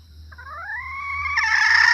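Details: Female red junglefowl call, used to lure males and other females: a drawn-out tonal note climbing steadily in pitch for about a second, then breaking into a loud, harsh, raspy squawk, with a faint insect drone behind.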